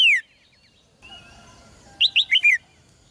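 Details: Caged red-whiskered bulbul singing to spur males into strong song: a brief loud falling whistle at the start, then after a quiet gap a quick phrase of four bright, arched whistled notes.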